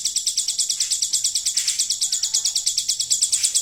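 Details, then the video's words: Song of a hill prinia carrying an imitation of the golden grasshopper: high, dry, buzzy pulses repeated evenly about three times a second throughout, with little else audible. "ciblek gunung isian belalang emas"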